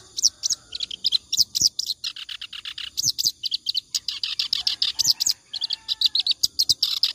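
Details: Clamorous reed warbler singing continuously, suited for tutoring other songbirds; loud, varied chattering phrases of harsh and squeaky notes tumbling rapidly with scarcely a break.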